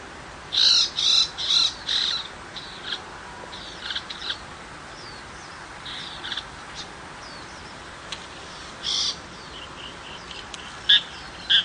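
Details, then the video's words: Tiger shrike in the countryside: harsh, buzzy chattering notes, first in a quick cluster of four loud bursts, then scattered softer notes and single sharp calls near the end, against a quiet background. "Chim Bách thanh vằn ở vùng quê"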